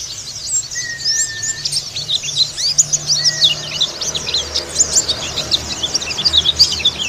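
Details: Indonesian white-eye in the Bali dakun (dakbal) singing style, meant as therapy and a lure for pleci keepers: busy, high chattering chirps pour out throughout, with two short flat whistles early and a low rumbling background.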